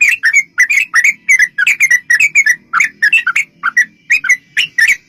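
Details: Yellow-vented bulbul in full song, a long rapid 'ropel panjang' sequence used as a lure to make other bulbuls sing back: bubbly, slurred chirps around mid-high pitch, tumbling in quick uneven bursts about five per second, with a faint low hum beneath.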